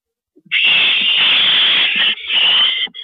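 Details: Owl at the nest at 1:11 AM on April 6, 2012, as a male delivers a rabbit; one long harsh, hissing screech lasting over two seconds, briefly broken, then resuming.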